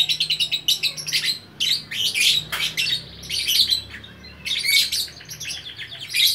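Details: Lovebird from Bukittinggi, West Sumatra, in 'gacor orkestra' song: fast stuttering trills of rapid repeated chips opening, then harsh squawky notes and shrill buzzy chattering phrases broken by brief silences.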